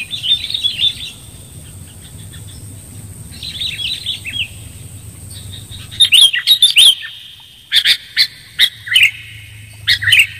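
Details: Sooty-headed bulbul calls recorded for luring birds: bursts of bright, chirpy notes near the start and middle, then loud, sharp, clipped chirps in quick clusters over the last four seconds, with a low hum underneath.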